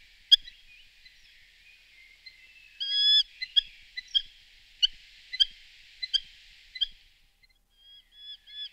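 Eurasian hobby giving sharp, shrill, high notes, about one every half second. A steady high hiss, like insects, runs underneath.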